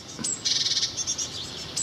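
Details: Young great tits, probably a second brood, nesting in the sign of the former Ringlestone Inn in Kent's North Downs on 31 May 2019, give a fast, high chittering burst from the nest, with thin high whistles before and after.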